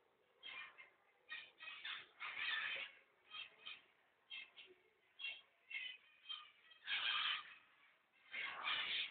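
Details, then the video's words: Lovebirds kept as pets at home give harsh, squeaky chattering chirps in quick bursts, with louder screechy outbursts around the middle and end; the recording sounds muffled, with the highest tones cut off. "طيور حب بيتي"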